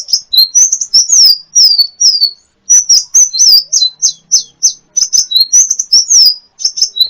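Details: Shrill twittering from a sunbird (kolibri ninja) kept as a model for training birds to sing: dense clusters of high, slurred chirps and short squeaky trills, delivered almost without pause. No other sounds.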